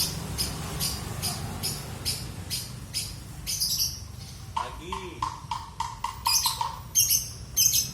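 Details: Lovebird from Palembang, Indonesia, giving its ngekek song style: a run of sharp, evenly spaced clicking notes gives way to a burst of lower, harsher chattering squawks that grow louder toward the end. Faint background hiss throughout.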